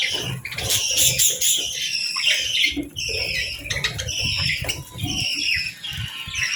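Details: Budgies on a calm morning while eating and bathing; busy overlapping chirps and whistled chatter, mixed with low rumbling movement noise.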